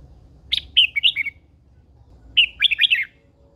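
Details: Caged Red-whiskered bulbul, an old wild-caught female used to fire up males. Two chirpy warbled phrases, each a sharp opening note followed by a quick tumbling run of sweet, bubbling notes, separated by a short pause. Faint low hum underneath.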